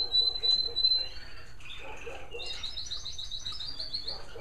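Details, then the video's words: American Singer canaries singing in bird rooms one evening, caught on a pocket camera: a long pure whistle, then buzzy warbles and a fast trilled series of repeated notes, with faint background sounds. "Some beautiful canary sounds from my bird rooms"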